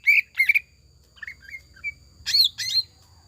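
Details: Loud lure song of a greater green leafbird, gacor and ngekek style with tengkek buto fill: two sharp chattering bursts, soft descending slurred whistles, then two more rasping bursts.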